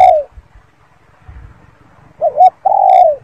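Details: Spotted dove calling up close: the tail of one coo, a pause, then a quick wavering double note and a long, smooth, downward-sliding coo.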